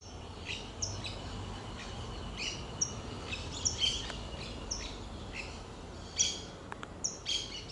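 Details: Saffron finch singing: short, high, bright chirps and clipped whistled notes repeated at irregular intervals over a steady hiss of outdoor background noise.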